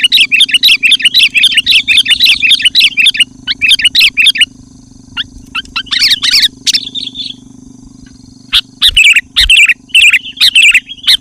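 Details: Sooty-headed bulbul singing loudly and persistently, used to lure wild bulbuls and provoke rival birds; dense runs of bright chirping notes fill the first four seconds, then broken bursts and short phrases, over a steady low electrical hum.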